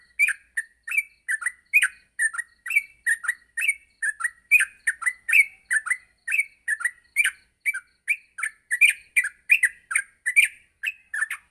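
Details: Morning tutor song of a yellow-vented bulbul for training bulbuls to sing quickly: long, even series of short bright chirps and slurred whistles, rising and falling, delivered briskly throughout with no gaps.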